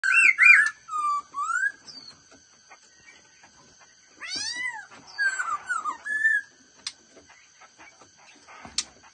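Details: Black-throated laughingthrush singing in the fast-beaked 'mau mỏ' voice style: loud, clear whistled phrases with rising and falling slurs, a sweeping upward glide midway, and short pauses between bursts, in a quiet setting.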